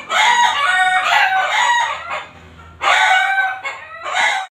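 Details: Neighbour's backyard chickens, audible daily and at night: a long, loud, harsh drawn-out squawking call, a quieter pause with low hum, then two more raspy bursts.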